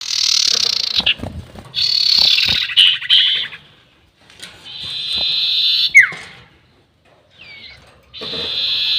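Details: Sirtu bird calling with a long squeaky 'nyiul' sound, used as a lure for trapping birds: harsh, buzzy high bursts lasting about a second each, separated by short pauses, with a sharp falling note near the middle.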